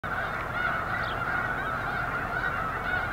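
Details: A large flock of snow geese at Eagle Scout Lake on 13 February 2024, a dense unbroken chorus of overlapping nasal honks and yelps forming a steady wall of sound.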